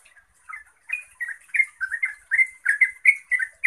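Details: Chattering song of a yellow-vented bulbul, sung to prompt other bulbuls to reply: after a brief pause, quick liquid notes follow each other several times a second, growing louder toward the end, with faint high-pitched ticking above.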